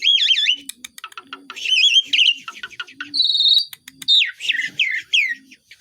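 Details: Asian pied starling in full besetan song with mimicry: looping whistled warbles, clicks and sharp rising and falling notes, while a low soft cooing repeats in the background about every second.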